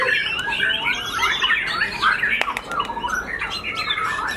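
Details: White-rumped shama, a caged contest bird with unusual white tail feathers, singing just after finishing its moult; dense run of varied whistles, chirps and harsh squawky notes, partly overlapped by other birds' song.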